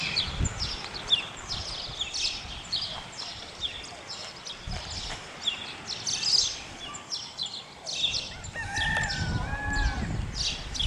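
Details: Dense chatter of a Spotless starling, with crowded high chirps, clicks and squeaks continuing for about eleven seconds, plus a few steadier mid-pitched tones late on and low background rumble.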